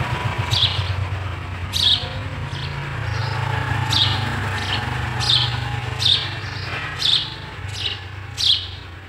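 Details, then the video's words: Sparrow chicks in the nest while the adults feed them; short, high, sharp chirps repeated roughly every second, over a steady low hum in the background. "sparrow bird feeding their chicks in the nest"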